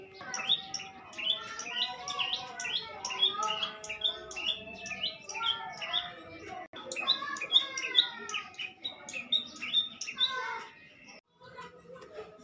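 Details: Young bar-winged prinia singing vigorously: a busy, continuous stream of quick, high chirps and short twittering notes, varied and irregular, running for about eleven seconds before a brief pause.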